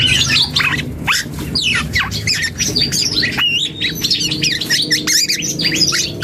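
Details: Young black-and-yellow oriole practising song, pouring out a busy, scratchy babble of squawks, buzzy notes and quick whistled slurs that jump up and down in pitch, nearly continuous throughout.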